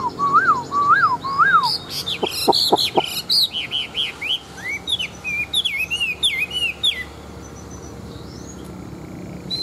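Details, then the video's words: Chinese hwamei, a big old wild-caught caged bird kept for fighting contests, sings three looping whistles, then sharp clicks and a fast series of high slurred notes, ending in a dense, varied twittering flourish. "Họa Mi Bộ To, Chim Già Rừng Chất Giọng Rừng Rất Hay"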